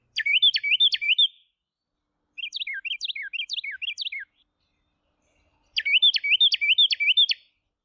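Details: Two neighbouring male Carolina wrens in a counter-singing duel trade loud, rolling bursts of quick repeated ringing phrases; one sings, a fainter neighbour answers with a similar burst, then the first returns.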